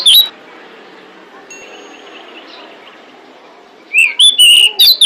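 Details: Female pied bushchat calling to attract males, one brief chirp at the start, a long quiet gap, then a rapid burst of shrill twisting whistled notes.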